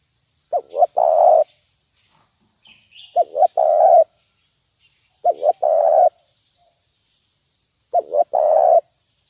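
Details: Zebra dove call used as a lure to train birds: four phrases about two to three seconds apart, each two quick short coos followed by a longer vibrating coo, over a quiet background.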